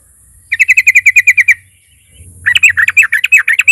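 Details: Sooty-headed bulbul lure song to provoke rivals: an even rapid series of about ten crisp notes, a short gap, then a rougher, louder stuttering chatter.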